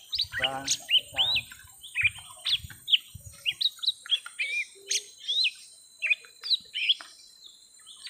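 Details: Fight between young lesser green leafbirds, round one: bursts of bright whistled upslurs and a short harsh rattle, separated by brief gaps, with faint low knocking sounds at the start.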